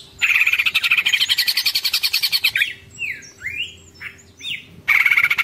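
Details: Greater green leafbird, a caged bird, in a long rattling ngekek chatter with tengkek phrases: rapid buzzy trill near 2–4k repeated about ten times a second, then varied swooping whistles and slurred notes, then the trill resumes; faint low hum beneath.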